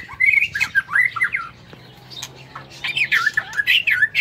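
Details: White-rumped shama in an aviary during the morning: choppy bursts of wavering, slightly harsh warbling notes, a quiet gap of about a second, then more rapid twisting phrases.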